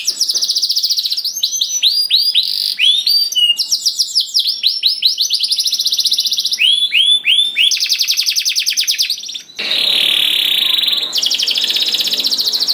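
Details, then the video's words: Canary singing as a lure to make other canaries join in: long fast rolling trills alternating with bursts of upswept chirps, ending in a dense buzzy roll. "Kenari Gacor Ngedur Ampuh Bikin Kenari Mana Saja Ikut Bunyi Gacor Ngerol"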